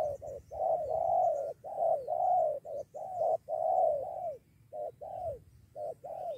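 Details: A spotted dove drawn in by a decoy during trapping, ready to fight alongside another bird. It gives loud, rich coos in a near-continuous run of drawn-out notes, some clipped short, and the pace slackens toward the end.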